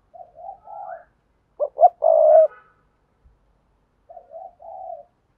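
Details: Spotted dove giving sa thúc, gù and gáy calls used to lure wild doves: soft low coos in a two-part phrase, then two short clipped notes and a long steady coo, then the opening phrase again after a pause.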